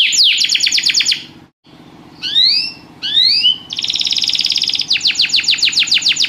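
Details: Canary song in a lively rhythm: fast trills of sharp falling notes, then two rising whistled slurs, a steady high buzzy trill, and more rapid trilled notes; faint low hum behind.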